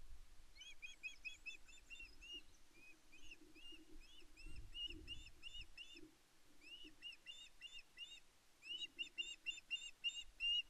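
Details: Female Osprey on Loch Arkaig Nest One, 5 May 2024, calling persistently to her mate for fish. Long strings of rapid piping whistles, repeated several a second, are broken by brief pauses, with a faint low hum and some knocking noises.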